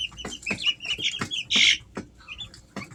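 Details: Easter Egger chicks, aged three weeks, kept at home in summer: several clear high peeps and chirps, one loud shrill squeak standing out, separated by soft tapping sounds.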